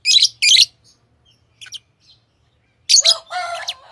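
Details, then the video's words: Tame lovebirds giving two loud, harsh screeches, a few soft squeaks, then a final burst of buzzy, rasping chatter with a lower grating tone. "Love birds Sounds | lovebirds chirping sounds"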